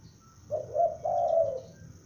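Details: Single cooing phrase from a young spotted dove used as a lure: a short soft note, a second coo, then a longer sustained note, clear and mellow against near silence.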